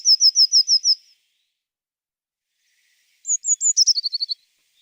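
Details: Recorded example of a Eurasian Blue Tit: a run of six clear, evenly spaced high notes, then after a pause a phrase of thin sharp notes that tumbles into a quick, lower chattering series.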